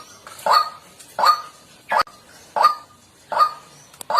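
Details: Natural white-breasted waterhen recorded as a lure for birds: spaced nasal honks about every 0.7 seconds, with a sharp click partway through.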